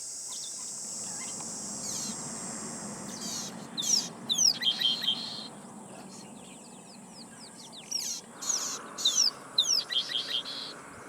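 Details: Rattling cisticola (Cisticola chiniana) in northern South Africa gives two bursts of high, bright chips and dry rattling trills a few seconds apart, over insect hiss and a low rumble. It was first labelled croaking cisticola; a viewer suggested rattling.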